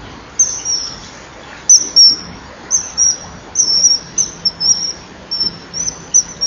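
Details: Shrill calls of a common kingfisher filmed by a nest-wall camera at 09:52 on 26 January 2012, as the female chases the male from his perch; about a dozen short, piercing high whistles in uneven bursts, with a faint low hum.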